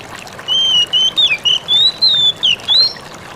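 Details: Oriental magpie-robin giving its "ngalas" song style, used as a lure to make other magpie-robins answer; a run of clear whistled notes, some level and some sliding up or down, about nine notes in 2.5 seconds over a soft steady hiss.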